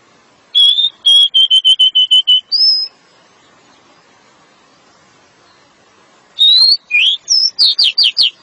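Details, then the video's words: Pied bushchat (decu) delivering dense 'nembak rapat' song: a fast run of about eight matching whistles, a long pause, then a varied burst of rising and falling whistled notes, with a low hum beneath. "Decu nembak rapat"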